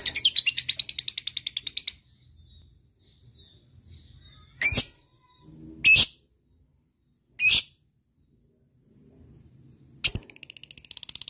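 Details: ['Ngekek trill of a lovebird, used as a lure to get reluctant birds singing: two seconds of rapid high chattering pulses, then four single sharp shrieks spaced a couple of seconds apart, ending with a brief return of the trill.']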